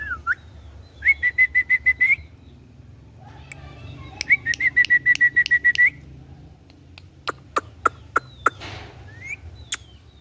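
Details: Pet green ringneck parrot whistles two rapid series of short, even notes, about a dozen each, followed by sharp clicks and a few soft high chirps indoors.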